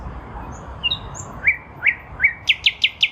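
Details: Nightingale in a lilac bush during spring 2023: a few high thin notes, then slow rising whistles that accelerate into a crisp series of rapid repeated notes.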